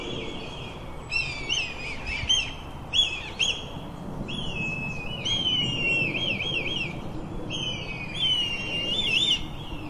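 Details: Red kites calling to each other in woodland: long, wavering, high whistles that rise and fall in a shaky mewing trill.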